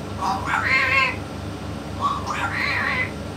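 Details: Yellow-naped amazon parrot with a parrot expert, producing two drawn-out, meow-like harmonic utterances, each rising then wavering, separated by a short pause, over a low background hum.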